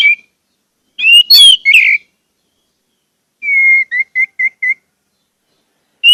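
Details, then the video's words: Orange-headed thrush (anis merah) song meant to set caged birds singing: a burst of harsh chirps and whistles, then a drawn-out whistle followed by four quick short notes. "pancingan anis merah agar anis merah macet cepat bunyi dan gacor"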